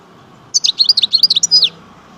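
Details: Algerian European goldfinch of the chardonneret major type delivering one quick, tinkling phrase of about a dozen sharp, high twittered notes, ending in a slurred descending note, over a low background hum.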